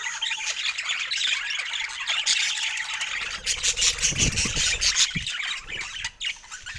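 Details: Budgerigars calling excitedly over fresh food: overlapping shrill squawks and chirps, rapid and uneven. A few dull low thumps come through midway.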